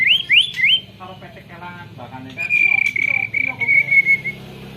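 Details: Kept white-rumped shama, recently through its moult, filmed on a phone while singing canary-imitation material: a few sharp rising whistles, a rattling run of notes, then a long, steady, trilled high whistle with a low background hum.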